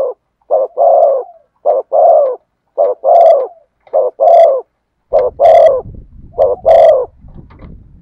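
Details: Steady thổ sấm style cooing from a spotted dove: a brief note then a longer warm coo, repeated about once a second. Low rumbling background noise and a few sharp higher clicks join midway through the series.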